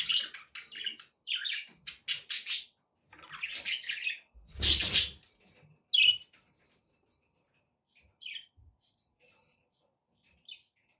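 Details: Budgerigars heard indoors, intended to encourage a pet parrot to eat and sing; a run of scratchy warbling and one loud harsh squawk, then sparse soft chirps trailing into quiet.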